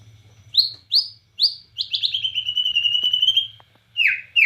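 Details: Bornean white-rumped shama singing 'gacor nembak cililin': three separate rising whistled notes about half a second apart, then a fast, buzzy trill lasting nearly two seconds, ending in loud downslurred notes.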